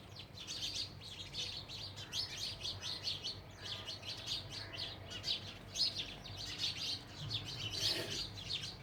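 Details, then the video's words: Chattering house sparrows, a bird once commonly heard around homes but now said to be rare: rapid bursts of short chirps repeating throughout, several birds overlapping, with a brief broadband noise near the end and steady low hum. "House sparrow((चिमणी पाखरं)).... chirping sound of birds.."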